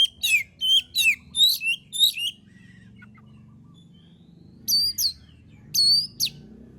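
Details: Singing oriental magpie-robin, locally kacer, used to stir other birds into song: a quick run of whistled descending syllables, a few seconds of quiet, then three isolated bright whistles.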